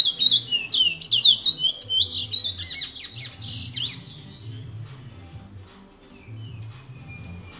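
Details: Caged Chestnut-bellied Seed-Finch (picolette), a pet male kept since 1986, in French Guiana, singing the rare Matiti regional song style: fast warbled, sweeping whistled notes for four seconds, then a thin drawn-out whistle, over a low indoor hum.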